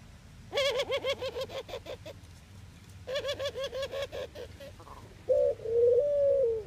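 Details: Eurasian collared dove in the Netherlands: two bursts of rapid, nasal, harmonic-rich notes, about a dozen each, then a short clear coo and a longer drawn-out coo near the end.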